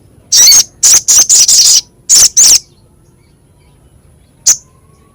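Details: Crescent-chested babbler, masteran for training songbirds, with a rough, sharp voice: a series of loud, harsh, buzzy high bursts in two groups, then silence and one final short chip.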